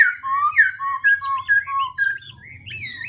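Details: Black-throated laughingthrush singing with continually shifting voice: loud, clear whistled phrases that slide down then level off, strung together rapidly with changing pitch, over a faint low hum.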